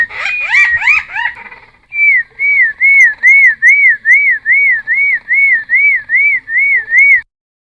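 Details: Cucak timor in lively full song, played as a lure and training recording for wild-caught birds: a few quick rising varied notes, then a clear whistled rising-falling note repeated steadily about twice a second, roughly twelve times.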